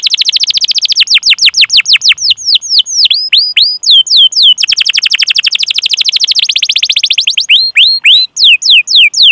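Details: Canary singing a long chirp-and-roll song used to spur young or non-singing canaries: a rolling trill, loops of whistled slurs, a second fast trill, then spaced sweeping whistles.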